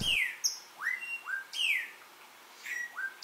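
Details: Melodious Blackbird, common in the gardens at Xpujil, Mexico, giving loud, clear whistles, several slurred downward and others rising sharply, about four phrases in three seconds; quiet background.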